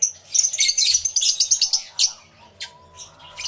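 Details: Aviary lovebirds, a crowd of them, captured on a camera fitted with two external microphones: a fast stream of piercing squeaky chirps that thins into scattered single calls toward the end.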